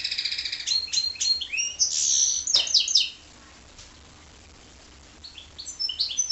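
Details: Goldfinch and canary hybrid twitters rapidly with bright trilled bursts for three seconds, falls silent, then resumes with soft chirps.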